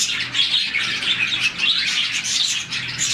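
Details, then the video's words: Happy morning chirping from a colony of roughly 40 budgerigars: busy, high-pitched chattering and twittering overlap throughout the short stretch, swelling slightly in waves. "Lovebirds, budgies, parakeets morning chirping sound"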